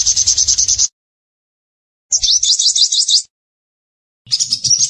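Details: Singing sunbird: three separated bursts of very high, fast chattering notes, each under a second or so, sharp and buzzy with quiet gaps between them.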